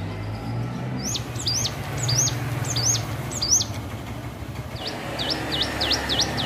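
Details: Hill prinia practising its song: a row of zigzag, up-and-down notes, then a brief pause and a faster string of clean V-shaped whistles, with a constant low traffic hum underneath.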